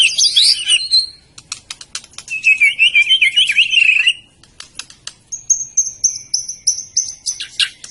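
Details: White-rumped shama of the Medan type singing a varied, fast song: high warbled notes, a rapid buzzy trill in the middle, scattered sharp clicks, then a series of thin high whistled notes at the end.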